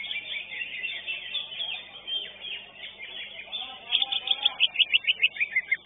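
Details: At a bird singing contest, a first-place greater green leafbird gives a faint twittering stretch, then a loud burst of rapid, repeated high chips near the end, over many other birds calling.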